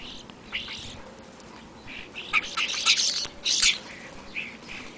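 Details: Flock of European starlings feeding on a February afternoon before an overnight blizzard; harsh, wheezy bursts and squeaky chatters cluster into a loud burst midway, over steady background hiss.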